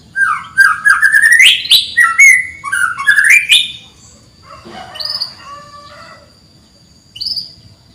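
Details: Canary chirping, used as a lure to train canaries that rarely sing: a run of quick rising whistled chirps climbing in pitch over about three seconds, then quieter scattered notes and thin high whistles with pauses; otherwise quiet.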